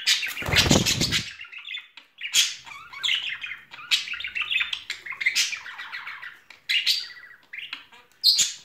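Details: A loud rustling burst opens, then a pair of budgerigars courting in spring chatters in scratchy warbles and squawks, ending with a thin high whistle.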